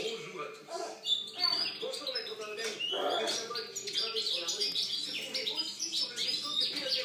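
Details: Song of a European goldfinch from 2013, a rapid jumble of high tinkling notes, short whistles and buzzy rattles, with some lower murmuring sounds in the background.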